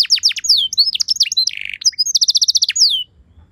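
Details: Canary singing a lure song to provoke other canaries: jumbled chirps and slurs, a short low buzzy section, then a fast clipped trill and a falling whistle before silence.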